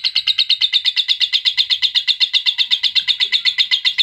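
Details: Adult lovebird chatter, used to stimulate adult lovebirds: a very regular, rapid series of bright, high chirps, several per second, repeated without a break and with a clean background.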